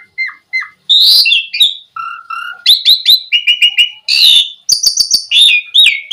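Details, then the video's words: Asian pied starling song played to lure other starlings into singing: a varied sequence of whistled notes, harsh rasping bursts and clicks, jumping between pitches with short pauses. "Suara Jalak Suren Memancing Burung Jalak Biar Cepat Full Isian Mewah"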